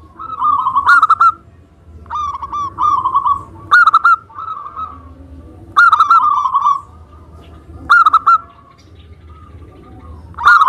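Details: Zebra dove of a local Indonesian strain singing actively as a lure recording to provoke replies: loud phrases of quick, bubbling cooing notes recur about every two seconds, alternating with quieter rolling coos between them.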